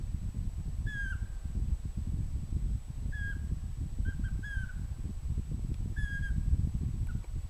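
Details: Pygmy owl giving short falling whistles, mostly single with one quick double note, spaced about one to two seconds apart over low rumbling background noise and a faint steady high hum.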